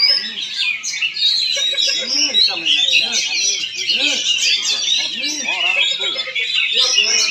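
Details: Contest Oriental magpie-robin singing in Palangkaraya, Central Kalimantan: a fast, unbroken stream of high chattering and whistled notes, overlaid with frequent low voices of people talking.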